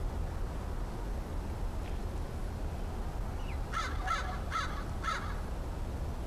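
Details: Crow described as the last crow friend of the year, calling cautiously on 13 October 2013: four rasping caws spaced about half a second apart toward the end, preceded by a brief faint chirp, over low rumbling background.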